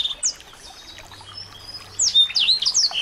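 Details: Small birds played to rouse a white-rumped shama: sparse faint whistles at first, then from two seconds a loud cluster of sharp downslurred chirps and short trills.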